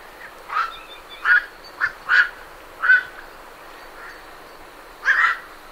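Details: Several night herons leaving a roost, heard at medium close distance: a series of six or seven short, hoarse 'kwok' croaks at uneven intervals, with a quiet pause before a final, louder double note.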